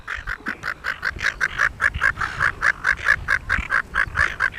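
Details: A pair of Silver Gulls on Penguin Island off Shoalwater, Rockingham: a steady run of short nasal calls repeated more than twice per second, each note clipped and evenly spaced, growing slightly louder and harsher toward the end.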